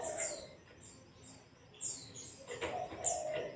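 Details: Pleci ngalas masteran: sparse high, falling whistles from a white-eye, separated by quiet spells, with a few crisp clicks and a muffled lower warble near the end.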